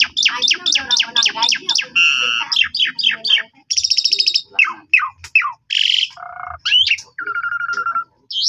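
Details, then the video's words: Lure recording of a black-collared starling to make other starlings answer with long song: quick series of descending notes, buzzy rasps, whistled slides and grating bursts, densely varied and nearly continuous. "JITU Memancing Jalak Suren Lain Langsung Bongkar Isian Nyaut Suara Panjang"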